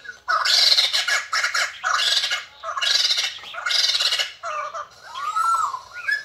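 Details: White-crested laughingthrush, which sings and dances all day after eating geckos. Loud, harsh cackling bursts repeat roughly once a second, ending with a softer upward-curving whistle.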